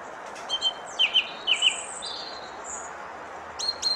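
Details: Thrush singing: short, high, sharp chirped notes, mostly in quick pairs, spaced by brief pauses over a steady background hiss.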